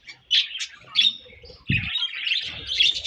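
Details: Loud, piercing budgie chirps during breeding season, a few spaced bursts followed by a continuous high twittering run, one low thud in the middle.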